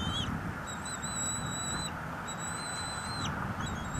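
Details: Live cam at a bald eagle nest in northeast Florida, 23 March 2022, where a parent delivers a big fish to two feeding eaglets. Long, thin, steady high whistles, each ending in a quick downward slur, over windy background rumble.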